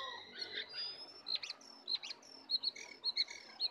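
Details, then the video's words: Sooty-headed bulbul singing in a wild-versus-caged contest, full filler song: drawn-out thin whistles, then short sharp paired chirps repeated about twice a second over soft background noise. "pertarungan sengit antara Jongkangan liar vs jongkangan sangkar, full isian"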